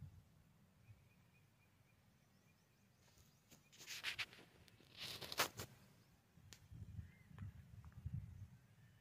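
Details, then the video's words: A male black francolin gives a loud, harsh, grating burst of clipped notes partway through, against a low rumbling background and a faint thin whistle early on. "Kala Teetar Ki Awaz"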